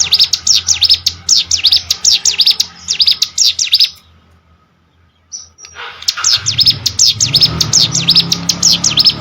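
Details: Plain prinia from rice fields sings quick, high, repeated zigzag chips, pauses for nearly two seconds, then resumes the same rapid chipping over a low rumbling background.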